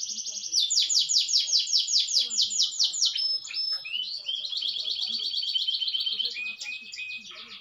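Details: Canary delivering a long rolling song inside a room: a loud fast series of sweeping notes for about three seconds, a rising slur, then a long even trill and short chirped phrases.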